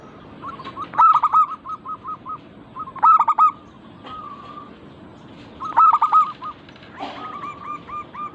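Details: Local zebra dove, recorded as a lure to get other birds singing: emphatic rattling coo bursts roughly every two to three seconds, each trailing off into evenly spaced short notes.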